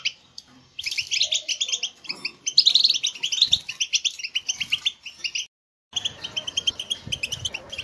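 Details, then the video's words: European goldfinch song meant to motivate caged goldfinches to sing: lively twittering runs of high chirps and trills, a short silent break, then the twittering resumes over a faint hum. "STIMULATION SINGING for GOLDFINCHES"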